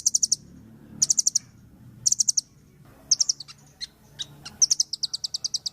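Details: Singing velvet-fronted nuthatch, vigorous training song: tight bursts of about five rapid, shrill high notes roughly once a second, then scattered single notes, then an even fast trill at the end.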